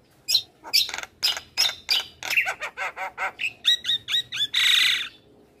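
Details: Javan myna singing actively for training young birds. Harsh rasping notes speed into a regular series, then clear whistled phrases end in a long grating buzz.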